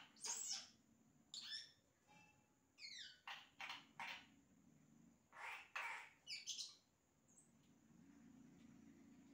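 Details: Imitations sung by a yellow-rumped cacique: clusters of sharp clicking strokes, short descending whistled slurs and broadband crackling notes, then a quieter stretch near the end.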